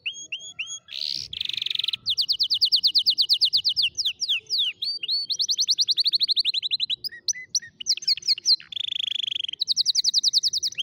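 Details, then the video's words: Canary singing to tutor young canaries: long rapid rolling trills of repeated clear notes, shifting between tours, with harsh buzzy bursts and sustained whistled tones between rattling sequences, bright and loud throughout. "كناري يغني أفضل تعليم فراخ الكناري"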